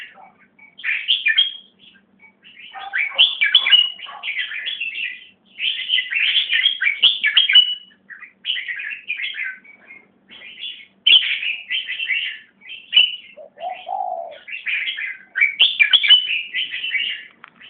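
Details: Greater racket-tailed drongo singing along with a white-crested laughingthrush, giving the same song: a varied run of chattering, whistled and squeaky phrases in quick bursts.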